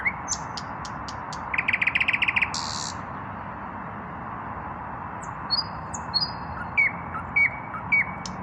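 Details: A male common nightingale that has not yet found a mate sings at evening: crisp clicks, a pulsing rapid trill and buzzy burst, a pause, then faint thin whistles and three short, sharp, repeated upward notes.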